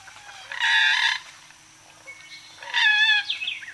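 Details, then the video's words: Moorhen giving two loud, harsh, buzzy calls lasting about half a second each, separated by a pause of about two seconds, the second followed by a brief squeaky trailing note. "Moorhen. Mc-MCU Calls"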